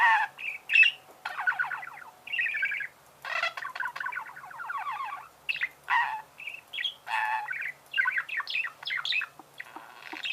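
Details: Budgerigars chatter and warble in choppy phrases, mixing raspy buzzes, rapid ticking runs and short whistled squeaks, with frequent brief gaps between the bursts.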